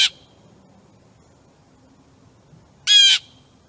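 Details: Wild blue jay feeding on suet on August 22, 2015, while a wild turkey wanders by: one loud, harsh, buzzy squawk about a third of a second long after a clipped note at the start, over quiet background.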